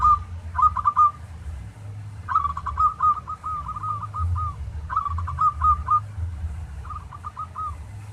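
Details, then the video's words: Local zebra dove song serving as a training master for other doves: four trilled phrases of fast repeated bent notes, some ending in a longer drawn whistle, spaced one to two seconds apart over low hum. "Masteran Tarik Perkutut lokal agar GACOR-Ampuh.!!!!"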